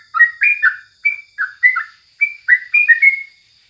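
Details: A Sooty-headed Bulbul in the morning delivers about a dozen crisp, separate chirps, some rising and some falling, spaced roughly a quarter second apart, with a clean quiet background.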